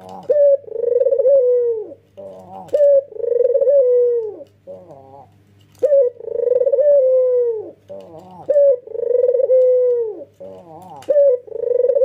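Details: Male ringneck dove, white plumage and red eyes, calling repeatedly: five long rolling coos, each opened by a bright short note and closing with a downward slide, separated by softer gurgling notes and a constant low hum.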